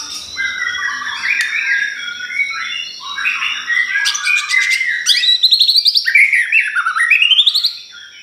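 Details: Lure song of white-rumped shama for provoking other birds: varied warbles building into fast rattling trills and bright rising whistles, over a constant high tone.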